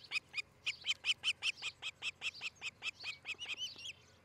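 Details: Osprey at a nest in Charlo, Montana, on a nest cam during a July 2018 morning: a steady string of about eighteen loud high whistled chirps, evenly repeated, trailing off into softer slurred notes.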